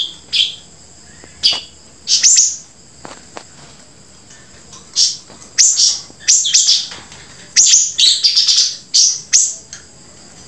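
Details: Grey-breasted prinia singing scattered high, scratchy bursts. These start sparse, then become a busier chattering run in the second half, with a few faint clicks in between.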